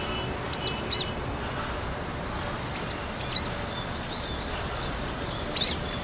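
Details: Brown-eared bulbuls visiting a Seoul rooftop, South Korea, on a colder winter day, 6 February 2020, drinking water after it had all frozen elsewhere; high, arched squeaky calls in short bursts, spaced over several seconds, above a steady city hum.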